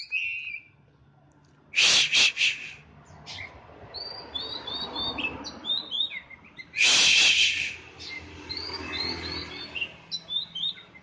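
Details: Oriental magpie-robin kept in a cage and set out in morning sun. It gives short warbled and whistled phrases between two bursts of loud, harsh, hissing noise.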